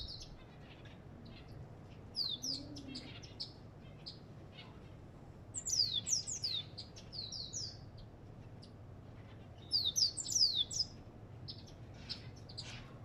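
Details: African goldfinch giving short bursts of high, downward-sliding twitters, three clusters spaced several seconds apart, with quieter single chips between and a steady low hum underneath.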